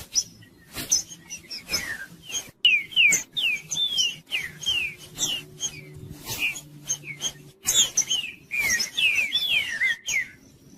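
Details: Green-winged saltator of the 'Judas' type, used to rouse quiet captive saltators into song: rapid run of downslurred whistled notes and chirps, roughly three per second, interrupted by sharp clicks and brief gaps.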